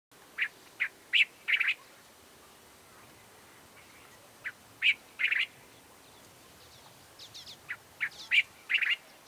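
Cape Bulbul giving short, harsh chattering notes around two to three kilohertz, in bursts of three or four with a pause between groups, over quiet background.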